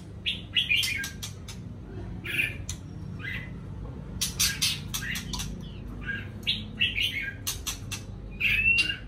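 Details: Morning song of a white-rumped shama, short whistled fragments broken up by many dry, sharp clicks and tapping noises, with a steady low rumble underneath.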